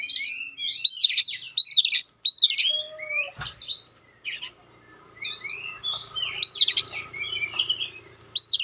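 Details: Magpie-robin singing sharp 'tembakan' phrases and clear notes meant to provoke other magpie-robins to respond: bursts of rapid, high, sweeping whistles and chattering trills separated by short pauses, with a faint low hum and one dull thump midway.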